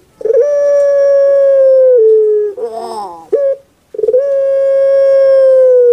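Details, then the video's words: Kept puter pelung dove, its voice described as kuk gerukkk kwokkk. A sustained steady tone of nearly two seconds, a rough rolling gurgle, a short clipped note, then another long drawn-out tone. "PUTER PELUNG SUARA EMPUK RASANYA PAS DI HATI"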